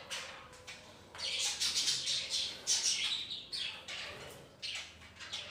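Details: Indoor colony of budgerigars living alongside ring-necked parakeets: overlapping bursts of high, scratchy chirping and warbling that swell and fade every second or so, several birds calling together.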